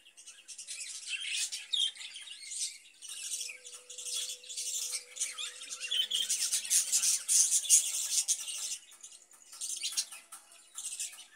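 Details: Caged budgerigars, kept for breeding and egg-laying, warble continuously in rapid, scratchy, high-pitched chirps and squeaks, rising and falling in loudness through irregular bursts, with a faint low hum in the background.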